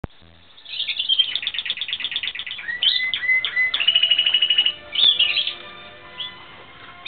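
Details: Timbrado Espanhol canary in training, 2016, singing rapid rolling trills of repeated notes high in pitch, broken by short rising whistles and a steady pure whistled passage, then fading near the end.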